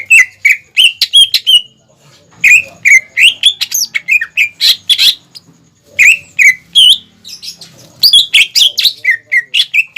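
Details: Captive greater green leafbird singing for young birds to imitate: dense bursts of sharp whistled and chattering notes with quick slurs, interrupted by short pauses and faint low background noise.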